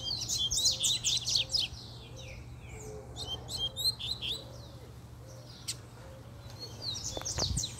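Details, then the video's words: Double-collared seedeater male in fiery form delivering a puxada song, dense high chirping trills and sweeping buzzy notes in bursts, a soft lower repeated note in the background and a sharp click near the end. "PUXADA DE COLEIRO, ESSE ESTÁ FOGOSO!!!"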